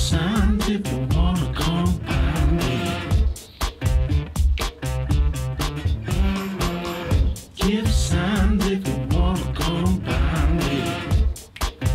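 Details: Funky soul music with a steady beat, bass and singing fills the whole stretch; no animal calls can be picked out.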